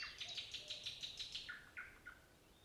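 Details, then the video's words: Nightingale song phrase made of about eight evenly spaced high notes repeated roughly every fifth of a second, then three lower, slurred descending notes that fade out. "Песня соловья"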